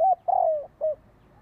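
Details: Part of a spotted dove luring phrase, used to bring wild doves in: a clipped opening coo, a long sliding purr that drops in pitch, and a short last coo, then silence.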